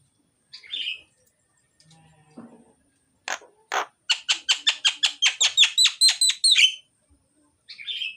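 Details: Loud, full myna (jalak) song intended to prompt reluctant mynas to sing: a few scattered harsh notes, then a rapid series of about fifteen sharp, high chattering notes roughly five per second, ending with a buzzy phrase.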